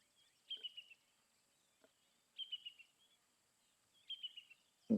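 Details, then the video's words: Brown-hooded Kingfisher going ballistic at sunset at Rietspruit Game Reserve in South Africa's Lowveld on 22 December 2024: three sharp, descending trilled bursts about two seconds apart over a steady high insect hiss, ending in a thump. "you can hear that brown hooded Kingfisher going ballistic"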